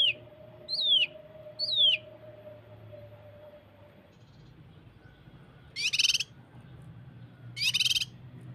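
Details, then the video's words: Common Iora (cucak kinoi) tutor recording, 'tembakan rapat' style, for coaxing birds to sing: two sharply descending high whistles about a second apart, then two dense buzzy rattles, with a steady faint tone beneath. "Masteran cucak kinoi tembakan s4d1s tembakan rapat | pancingan cucak kinoi"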